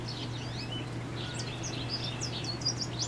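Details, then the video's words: A male American goldfinch sings a quick, varied run of high, sweet twitters and slurred notes over a steady low hum, NW of Valeport, Saskatchewan, Canada, on May 15, 2018. "American Goldfinch singing (male)"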